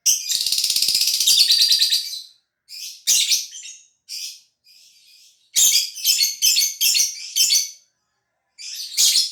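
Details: Caged contest-quality lovebird from Gresik, East Java, Indonesia, singing on opening of the cage cover; a long buzzy rattling trill for two seconds, then scattered harsh chirps and a dense run of rapid chattering notes.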